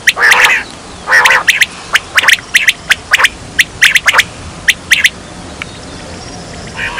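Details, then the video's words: Quail calls used as a lure in hunting: harsh, raspy bursts open the recording, followed by sharp, clipped notes in quick pairs and triplets, irregularly spaced over several seconds against steady background hiss. "Batair ki awaz"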